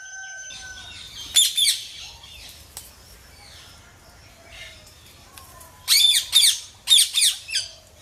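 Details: Ringneck parrot uttering short groups of harsh, grating squawks, two to three notes at a time, amid quiet background with a few thin whistles and clicks.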